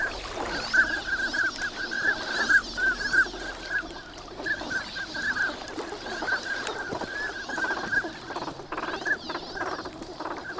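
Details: Wintering migrant ducks on Lake Inawashiro at Nagahama, Japan, in the morning on a fine winter day, swans flying in later; many birds give overlapping short nasal calls at a steady mid pitch, with a constant murmur of water and flock noise.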